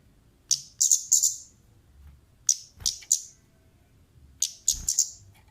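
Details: Female orange-headed thrush lure call: bright, high chips delivered in tight groups of three, each group separated by pauses of over a second, over quiet low background noise.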